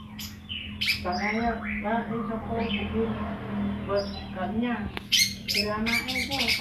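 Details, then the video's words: A young long-tailed shrike, just learning its song, gives harsh, nasal, squawky phrases mixed with sharp high chirps, over a steady low electrical hum. "Cendet Gacor ,Baru Belajar Ngeplong"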